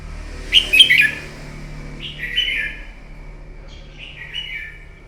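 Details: Red-whiskered bulbul fighting song used in the morning to train a bird: a short burst of harsh, warbled notes followed by two softer, falling whistled phrases, with a low steady hum underneath.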